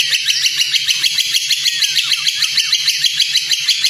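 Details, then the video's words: Training song of a white-rumped shama, meant for other birds to learn: a steady, rapid chatter of sharp, high, scratchy notes about three per second, with soft low thumps in the background. "masteran burung murai"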